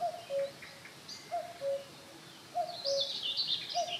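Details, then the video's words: At Holnis, a Common Cuckoo calls its low, falling two-note 'cu-coo', repeated about every 1.2 seconds, with high chirping from other small birds behind. "Kuckuck singt"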